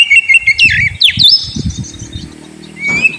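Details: Brief Oriental magpie-robin (kacer) lure song for a sulking bird: a few sliding whistles and sharp upswept notes, then a low hum and a final rising whistle, with knocking sounds underneath.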